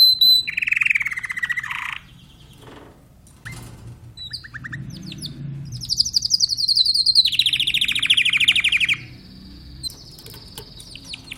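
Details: Timbrado canary song with a low buzzy trill, scattered short notes and a quiet gap, then an extended rolling trill gliding downward, followed by faint high notes.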